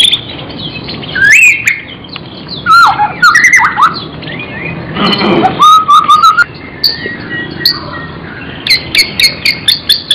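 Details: Varied magpie-robin song in gacor isian style, mixing rich swooping whistles, sudden harsh bursts and long series of sharp high ticks and chips.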